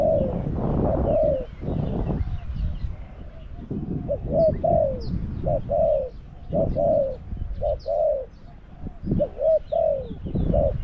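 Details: Spotted dove, a caged decoy luring wild doves during trapping at Song Phi Nong. Mellow, hollow coos descend slightly in pitch and come in short phrases with uneven gaps. Low rumbling background noise runs underneath.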